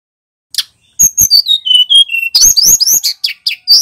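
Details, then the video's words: Energetic, loud song from a male bar-winged prinia. One short note, a pause, then a descending series of clear whistled notes stepping lower, followed by bursts of rapid, sharp, rising chirps. "Suara burung tledekan gunung jantan GACOR DOR"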